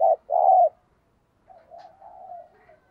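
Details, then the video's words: {'caption': 'Spotted dove kept as a caged decoy, cooing in the thúc gù style used to provoke wild doves. A short low coo and a fuller rolling note are followed by quieter, wavering murmurs.'} "Chim Cu Mồi Thúc Gù Bài Bản Nghe Rất Xướng Tai"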